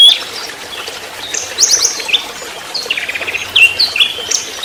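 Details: Orange-headed thrush in trotol style, recorded as a lure and master for training songbirds: rapid chattering runs of short high notes mixed with upslurred whistles, a fast rattling series near the middle.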